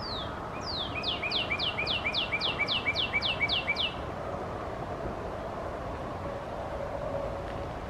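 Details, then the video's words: Northern Cardinal singing in late May at a forest trail in Markham: a rapid series of about ten clear down-slurred whistles, repeated evenly over four seconds, then quiet woodland background with steady low traffic-like rumble. "Northern Cardinal singing"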